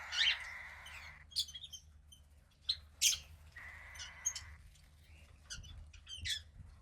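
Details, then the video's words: A 15-day-old female cockatiel chick, second of a pied cockatiel pair's hatch, utters two drawn-out scratchy hissing calls. Sharp high chirps and squeaks sound throughout. "Cockatiel Chick 2 (15 Days Old)"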